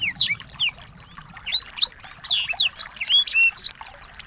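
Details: Chorus of small birds, recorded as a training track to make a white-rumped shama sing with excitement; bright, high whistled notes, downward slurs and short buzzing phrases overlap in a busy, unbroken stream.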